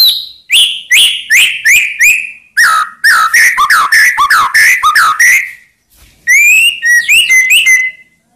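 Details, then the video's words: White-rumped shama singing to provoke rivals into answering, with loud descending whistled phrases repeated about twice a second, a brief pause, then higher rapid chirping notes. "Ampuh Buat Murai Lain Terpancing Emosi Seketika Insyallah Langsung Nyaut"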